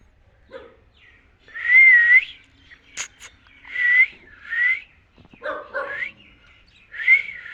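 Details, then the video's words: Talking parrot producing a series of whistled, slightly buzzy notes, some rising and some wavering, spaced about one second apart, with a sharp click midway and short chattering notes near the end. Recorded in a quiet setting. "talking parrot"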